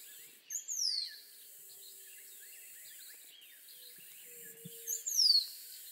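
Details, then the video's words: Rose-throated becard song: two thin, high whistles slurring steeply downward, one near the start and one near the end, over a dense background chorus of chirping birds and a faint low hum. "Rose-throated Becard Bird Song"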